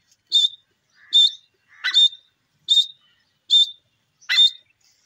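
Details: Grey francolin call: six loud, sharp, ringing notes, each with a bright whistled peak, repeated evenly about every 0.8 seconds against a quiet background.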